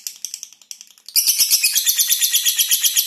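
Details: Lovebird singing for prospective breeding, a contest bird kept for long-duration song: a few faint thin chirps, then a loud, rapid run of shrill buzzy chattering notes repeated nearly three times a second.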